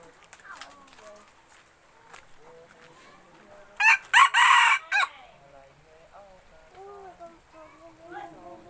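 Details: Red junglefowl rooster used as a decoy gives one loud crow in four choppy, raspy parts, the third drawn out. Soft human voices murmur before and after it.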